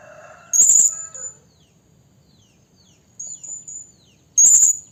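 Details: Trapping lure call of a female blue-crowned hanging parrot summoning a male: two loud shrill high squeaks at start and end, thin high whistles between, some lower tonal notes at the beginning.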